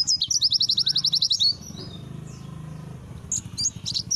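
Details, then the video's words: White-eye song used as training material in the Langa Lingi style: a fast, even trill of high chirped notes lasting over a second, then a quiet gap and a few scattered high chirps. "Pleci materi Langa Lingi"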